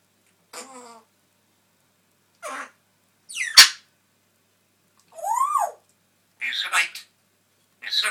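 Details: Pet parrot left alone indoors, talking to himself: mixed speech-like syllables, a sharp click, and a loud rising-then-falling whistled slur, followed by further chattering bursts, separated by silent gaps.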